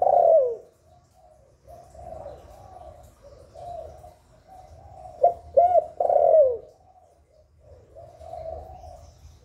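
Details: Spotted dove giving the 'hạp bổi' voice, recorded live without background noise and used to stimulate newly kept doves. Low mellow coos come in a series, with a louder burst of slurred, bending coos near the middle and softer coos trailing off.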